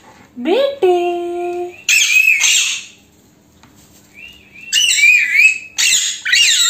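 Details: Indian pet talking parrot, a female Alexandrine parakeet, speaking Hindi words indoors: a rising nasal vocal phrase, then harsh squawky syllables, a quiet gap and more wavering chattering phrases.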